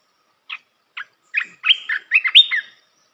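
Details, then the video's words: Red-whiskered bulbul singing a training song for young birds: two separate short chirps half a second apart, then a quick run of rich, rolling whistled notes with a bright upward flourish near the close, with no other sounds. "เสียงนกกรงตาแดงEp.168 เสียงหัดนกลูกเสอ เพลงเพราะ น่าฟัง"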